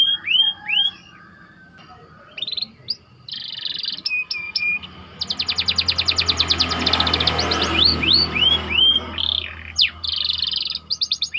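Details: Master song of a white canary for training other canaries: scattered swooping whistles and buzzy rolls, then a long rapid trill over rising background noise, followed by curved whistled notes.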